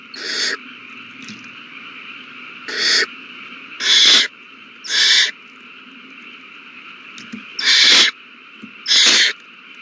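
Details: Feeding-time owl chicks on 27 March 2020: irregular harsh hisses, a single one early then clusters of short rasping bursts later, separated by quieter hum-filled pauses.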